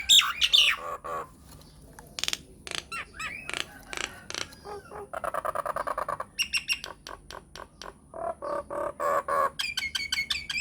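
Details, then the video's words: Myna song played as a lure to make other mynas respond: a jumble of high screeches, whistles and clicks, a stretch of nasal gurgling chatter, then rapid repeated ticks and bright whistled phrases. "PANCINGAN / MASTERAN SAKTI UNTUK SEMUA JENIS JALAK, JALAK APA SAJA AKAN NYAUT | MYNAH BIRD"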